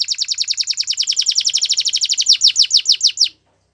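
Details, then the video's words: , Canary singing a rapid, even trill of bright repeated notes, roughly eight per second, that slows into a few louder, downward-slurred notes before stopping abruptly; clean background. "The BEST Canary Sounds!!"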